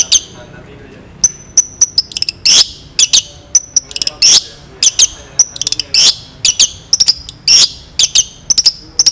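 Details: Long-tailed shrike song used as a master recording for training songbirds: loud, clear high whistles and sharp piercing bursts, repeated in quick sequences with brief pauses, intense mimicry-like phrases throughout.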